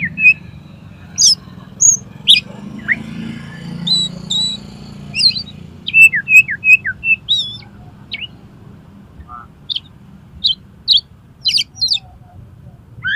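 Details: Oriental magpie-robin 'konslet' song, played to get another magpie-robin to open its tail: a long, varied series of sharp, high whistled notes and brief trills, some repeated in quick triplets, with short pauses between phrases.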